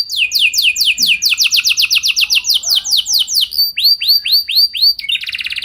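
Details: Canary song used to coax other canaries into long rolling song, a fast series of loud downward-sweeping whistles, then slower curved whistles, ending in a rapid buzzy trill.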